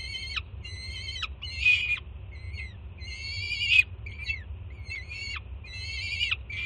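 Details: Peregrine falcon juvenile in Jersey City screaming as its first-time mother delivers food; a string of drawn-out, harsh, harmonic screams, several ending in a downward slur, at slightly lower volume, over a constant low drone.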